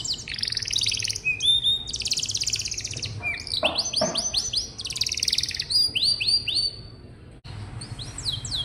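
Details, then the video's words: Canary song used to stimulate young or quiet canaries to sing and as a model for other birds: fast buzzy trills and rapid descending whistled notes in rolling phrases, with a brief pause near the end. "Suara burung kenari bikin hati senang, dan masteran burung kenari muda dan jarang bunyi"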